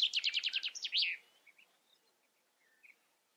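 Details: Common chaffinch song ending: about eight loud, quick repeated notes descending in pitch, finished with a short emphatic flourish, then a few faint distant chirps in a quiet background.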